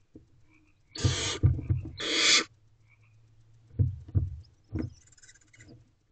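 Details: Barn owl owlets in a nest box at 1:31 am on 5/7/23 give two rasping, wideband hisses in quick succession, followed by several dull knocks and shuffling thumps, with a faint hiss near the end.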